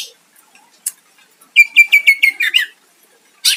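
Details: Greater green leafbird song for luring a rival to respond. About a second of rapid, evenly repeated clear whistled notes, ending in a twisting flourish, framed by brief sharp chips.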